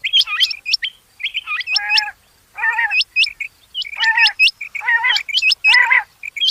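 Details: Rain quail, with sharp, high, metallic notes clustered in doublets and triplets, alternating with lower, buzzy, rasping bursts. Several calls overlap closely.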